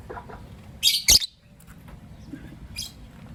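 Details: Morning calls of lovebirds, a green Personata and a pastel white: a pair of loud harsh chirps close together, then a softer high squeak, over a steady low background hum.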